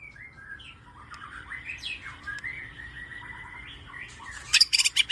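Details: White-rumped shama singing for a lure track meant to prompt other shamas into song: a soft, flowing warble of linked whistled slurs, closing with a burst of harsh, high buzzy notes.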